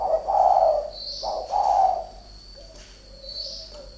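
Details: Spotted dove from a pair of decoy birds fighting: two loud hoarse coos in quick succession, then softer, drawn-out low cooing fading away.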